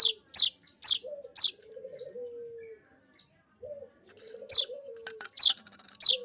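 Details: A streaked weaver chick calls for food as it is fed. Quick shrill chirps arrive in twos and threes, alternating with a low, bubbling, drawn-out warble that recurs.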